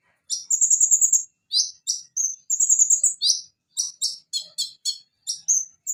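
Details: Van Hasselt's sunbird (Leptocoma brasiliana) song, used as training song for other songbirds: very high, thin, sharp chips and short buzzy trills in quick bursts about every half second, with a few steadier high trilled notes.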